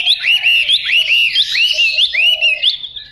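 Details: Practising fighting-type Chinese hwamei repeats arched whistled notes, each rising then dropping, roughly several per second in a bouncing series, accompanied by a quieter low cooing.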